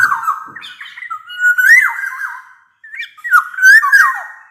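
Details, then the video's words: Near-continuous fluted whistling from a black-naped oriole in full song, a lure to get quiet orioles singing: looping slurred notes that rise and drop, with one brief gap before a further swooping phrase. "Burung kepodang emas gacor | Suara kepodang gacor ini bisa di jadikan pancingan kepodang malas bunyi"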